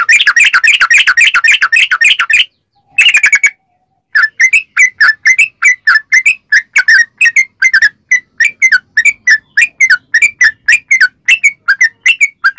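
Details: Yellow-vented bulbul in long, rapid-fire song, played to lure other bulbuls into answering: dense chattering bubbly notes, a brief break with abrupt cuts, then steady repeated slurred chirps several per second.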